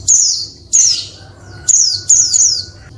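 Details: Calls of a female Oriental white-eye used to stimulate males to sing. Piercing downslurred high notes, the later ones tightly doubled, with a faint steady tone and low hum behind.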